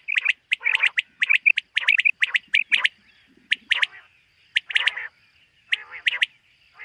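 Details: Common quail calling on a summer meadow in the morning, 2023: dense runs of short, sharp notes in small groups, growing sparser with gaps, and a faint low murmur beneath.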